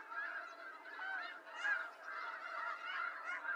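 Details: Snow goose flock, wild, North America: a steady chorus of many overlapping high nasal honks that swell and fade in waves with no pause.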